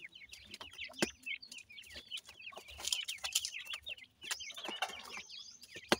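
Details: Young black francolins, known as Dakhni teetar in Pakistan, at feeding time in care: busy, overlapping high peeps and chitters, with frequent pecking clicks, occasional scratchy rustles, and a sharp tap at the close.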